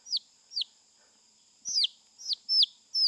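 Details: Caught wild chicken chicks kept in a knitted cage so they can acclimate before taming. Loud, piercing peeps drop steeply in pitch, two spaced calls followed by a faster run of four, over a faint steady high hum.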